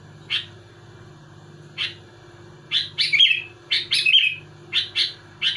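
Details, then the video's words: Sooty-headed bulbul song aimed at agitating other bulbuls: two isolated chirps, then a denser burst of quick bubbly notes and warbled flourishes, with a faint steady hum throughout. "Suara burung kutilang gacor muntahin isian tembakan rapat menekan lawan bikin kutilang lain emosi"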